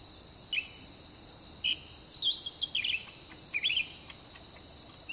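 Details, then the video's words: Chirping cucak ranting (grey-bellied bulbul) beside a road in Sumatra's Pakpak Bharat, near a trap cage: bright, wavering high notes in short groups separated by brief pauses, over a continuous high insect buzz. "Mikat cucak ranting pake kandang"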